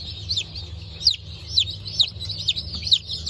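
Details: Newly hatched Brahma and Wyandotte chicks from 19 October 2024; clear, piercing cheeps that slide steeply downward, roughly one a second from the loudest chick, with softer peeps between and a low background hum.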